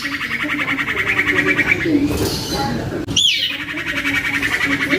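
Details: Common iora youngster singing energetically, used as a lure to get other iora singing: a steady, fast vibrating trill, a softer blurred passage, then a sharp falling whistle before the trill resumes.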